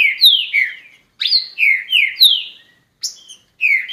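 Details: Green-winged saltator with an owner, singing loud whistled phrases of slurred notes that sweep down through a mid-high pitch. Groups of three to four notes are separated by short silences. No other sounds.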